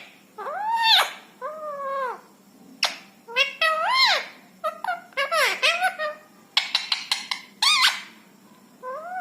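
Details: A pet rescued ringneck parrot chatters in speech-like bursts: arched, nasal syllables mixed with sharp squeaks and clicks, about a dozen phrases in quick succession. No other sounds.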